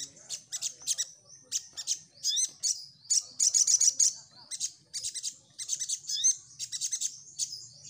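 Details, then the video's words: Crimson sunbird in full song, used as a lure to draw responses from other birds: rapid bursts of very high, thin chirps and buzzy trills, with short rising whistled notes between them. The bursts come in quick succession. "Burung Sogon Gacor"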